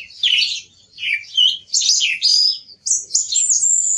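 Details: Song thrush delivering a run of high phrases that climb in pitch, ending with thin, sustained whistled notes.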